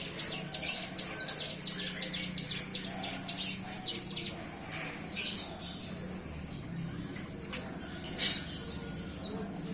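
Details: Bar-winged prinia youngster after hand-feeding, starting to sing: quick run of high, sharp chirps that thins into scattered notes and a few downslurred whistles, over a low hum.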